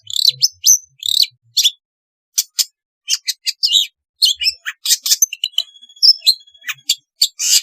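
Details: Long-tailed shrike singing, offered to stimulate a lazy shrike: busy varied chatter of scratchy chirps, short whistled slurs and a couple of long thin steady whistles, delivered in quick bursts with brief gaps.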